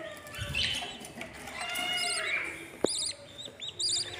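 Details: Five budgerigar chicks at about day 13, in the nest of a blue male and a white female, give rapid, high chirping and wavering warbled notes, with a sharp click midway.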